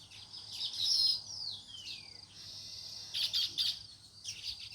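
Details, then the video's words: Natural chirping of sparrows: bright, high, sharp chirps in short bursts, with one long whistled note sliding downward, then loud clustered chirps after a pause. A faint low hum sits underneath. "Natural Sparrows Chirping Sound"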